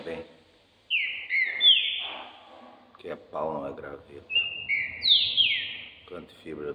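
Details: A champion competition green-winged saltator, kept by its owner, is being prepared for the coming season on 25 June. It sings two loud, clear whistled phrases a few seconds apart, each a quick run of bright notes, while a man talks between them.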